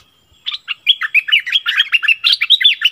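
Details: Streak-eared bulbul used as a decoy bird, recorded 16 February 2021: after a short pause, a rapid run of bright chirped notes, each jumping up and down in pitch, packed closely together with no background noise.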